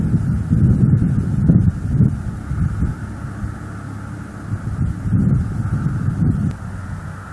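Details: Gusty wind rumbles across the microphone with low, uneven roaring and no animal calls.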